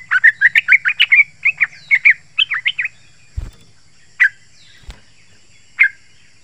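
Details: Yellow-vented bulbul song used as a lure for wild bulbuls in forest or garden: a quick chattering burst of sharp warbled notes, then scattered single chirps with two faint knocks.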